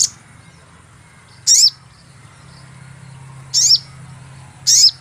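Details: Lure call of a sogon bird used by trappers: short piercing high chirps that slide downward, heard at uneven intervals of one to two seconds, with a steady low hum underneath.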